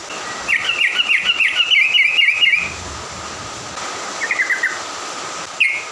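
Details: Songbird singing in the morning to provoke other birds: a fast twittering run of high chirps lasting about two seconds, then a shorter burst and a single note, over steady background hum.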